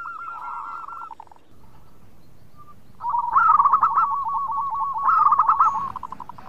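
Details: Vigorously singing local zebra dove from the Indonesian archipelago: a quavering run of rapid rolling notes, a pause, then a louder stuttering coo phrase that swells twice into bright warbled bursts. Low background rumble throughout.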